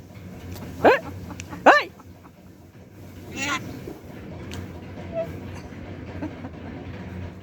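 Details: Pet common myna (Acridotheres tristis), talking: two loud, rising, squawky voiced notes less than a second apart, then a softer rasp, over a steady low hum and faint human voices.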